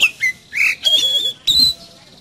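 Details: Energetic Oriental magpie-robin song used to coax a kept magpie-robin into singing: bright whistled phrases with short sweeping notes and a long, steady, high whistle, broken by brief pauses.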